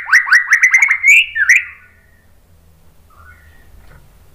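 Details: White-rumped shama song used to provoke rival shamas into singing: a quick series of about eight rising whistled notes, then a longer slurred whistle, followed by near silence with a faint soft note.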